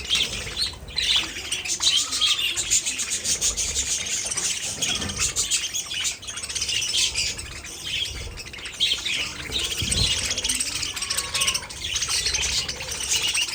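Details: Continuous warbling chatter from many budgerigars: busy high chirps and twittering, a few clearer whistled notes, and occasional soft wing flutters beneath the steady flock noise.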